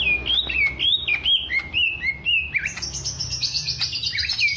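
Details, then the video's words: Greater green leafbird, a caged bird from Alas Purwo in Banyuwangi, Indonesia, known for its fighting character: a rapid chain of clear whistled notes stepping and sliding, then a dense, high, buzzy twittering phrase near the end. "TES MENTAL CUCAK IJO TROTOL BANYUWANGI (ALAS PURWO)"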